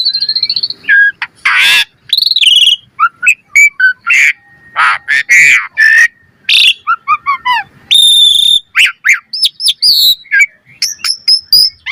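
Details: Varied, energetic Asian pied starling song used to lure and train birds: a steady high whistle opens, then croaking rasps, gurgles, short squeaks and bright rising whistles tumble together densely.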